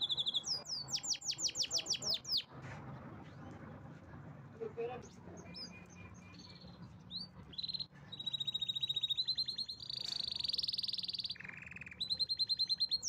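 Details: Canary in powerful song: quick buzzy trills open, then a quieter stretch of scattered chips over faint background noise, before loud, high, rattling rolls return near the end.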